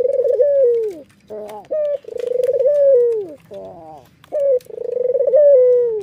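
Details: White Barbary dove with red eyes giving repeated laughing calls while nodding, about three phrases, each a short clear note followed by a rapid pulsed roll ending in a long falling slur.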